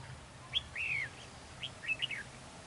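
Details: Red-whiskered bulbul at a trap during a territorial fight, decoy bird singing: a short burst of clear whistled notes, one long arched slur then quick chirps, over low steady rumble.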